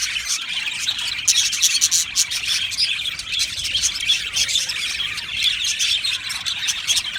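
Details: Many budgerigars in an aviary chirping and singing, a continuous bright twittering chorus with quick clicks and warbled notes running throughout.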